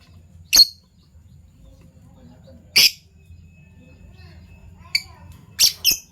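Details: Fischer's lovebirds, a violet pied and a gold opaline euwing, in the morning; sharp isolated high chirps spaced a second or two apart, a closing pair of buzzy notes, and a low hum behind.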